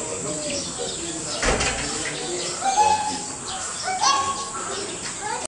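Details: Grey crowned crane at Higashiyama Zoo gives short, nasal honking calls that rise and fall, with people talking nearby.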